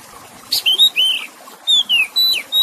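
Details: Oriental magpie-robin singing over trickling water, a recording meant to revive stressed or wild-caught birds: short sweet whistles, rising and falling slurs and long steady pure notes in two quick bursts.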